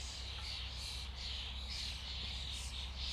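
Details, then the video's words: Massed chatter from a flock of common starlings: high twittering and squeaks pulse in waves over a constant low hum. "Flock of starlings/ Stado szpaków/ Ein Schwarm Stare"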